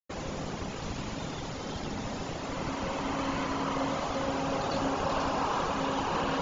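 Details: Steady engine-like rumble with a faint constant low hum throughout; no animal voices can be picked out.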